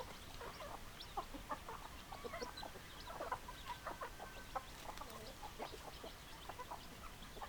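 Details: A flock of chickens, hens with roosters, giving steady scattered clucks and short notes throughout, several birds calling over one another against low background rumble.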